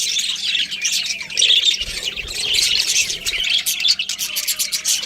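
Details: Budgies chattering nonstop: high scratchy warbles and quick chirps layered over one another, with a few brief low knocks midway.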